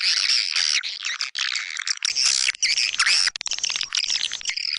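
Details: White-nest swiftlet calling sound used to attract birds to nest houses in East Kalimantan: rapid, overlapping shrill chirps and thin whistled sweeps in dense bursts.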